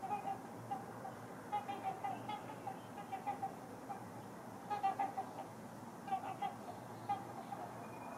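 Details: Two pairs of trumpeter swans on the ice of Rush Lake, waiting for open water, give short, nasal, horn-like honks in uneven bursts of two to four over a steady hiss, probably claiming a prime nesting spot.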